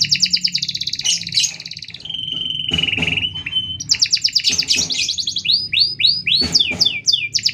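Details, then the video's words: Long, closely spaced canary song for training or provoking other canaries: fast rattling trills, a steady flat whistled tone, then rapid series of rising chirps repeated several times per second. "Suara Kenari Gacor panjang Jeda rapat"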